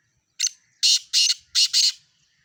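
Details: Harsh grating calls of a black francolin from Sindh: a brief opening rasp, then two pairs of loud, scratchy, broadband notes, the pairs half a second apart, in a clean quiet setting.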